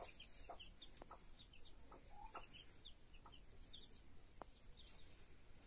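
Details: Chicks with their mother, a broody hen, give a steady stream of short, high peeps, several a second, over a constant low hum. One brief mid-pitched note from the hen sounds near the middle.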